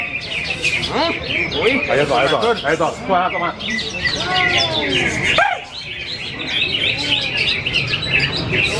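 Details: Greater green leafbird (cucak hijau) singing at a bird-song contest for the Yogyakarta city cup, which it won three times in a row. Rich, fast song of rising and falling whistles, chattering runs and arched notes, with other birds and crowd noise behind.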